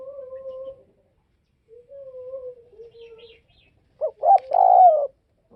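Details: Spotted dove from the Vietnamese northwest: gentle, even, low coos at first, ending with a loud phrase of two short notes and a long, slightly dropping coo.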